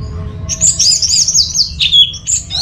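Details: Orange-headed thrush (anis merah) in a lively song, offered as a lure to get other birds singing: a continuous run of fast, varied whistled phrases, high and twisting, with sweeping slurs and quick trills, over a faint low hum.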